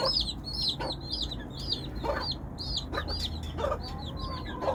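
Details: A hen calls her chicks with scattered low clucks, overlaid by a continuous chatter of high, looping peeps from the chicks.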